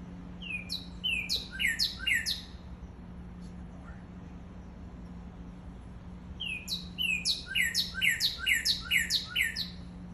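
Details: A cardinal on Maui, Hawaii, gives two bursts of bright, downslurred whistled notes, about four to six in quick succession, over a steady low mechanical hum.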